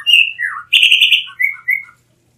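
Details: Blue mockingbird song: a varied run of clear whistled and slurred phrases, some falling, one harsh burred note in the middle, delivered in quick succession with no other sounds.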